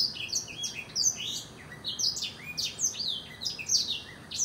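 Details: Dense, rapid blackthroat song of high, sharply falling chirps and quick twittering notes, repeated in close succession with little silence between them.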